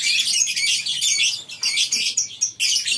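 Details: Morning chorus of lovebirds in a colony aviary on a breeding farm: overlapping shrill squeaks and chirps from many birds in bursts separated by short pauses.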